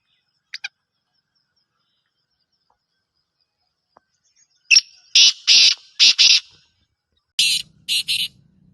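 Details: Black francolin, called Kala Teetar and described as Gangas or Sheedi nasal. Two faint clicks come first, then a long silence. A rapid series of five harsh, grating notes follows, and after a short gap two more rasping notes over a low hum.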